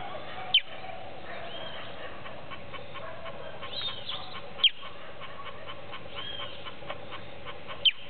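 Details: Creamy-bellied thrush fledgling just out of the nest, hidden among hedge branches in the late afternoon and seemingly calling to its family: three sharp, high, downslurred chirps spaced about three to four seconds apart over faint background birdsong.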